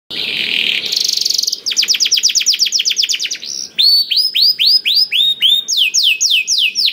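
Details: Canary singing loud and continuously to stimulate other canaries to sing: fast trains of repeated downswept chirps, then rolling trills of rising-falling notes, high and bright, a harsh buzzy phrase at the start, faint low background hum.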